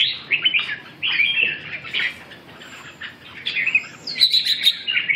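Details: Red-whiskered bulbul song of rapid, slurred chattering phrases, a quieter gap midway, then sharper high whistled notes and a final warbled burst.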